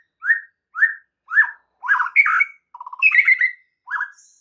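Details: White-rumped shama song for provoking rival shamas: three spaced, upslurred whistles, then richer warbled phrases, a short low rattling trill and a final whistled note.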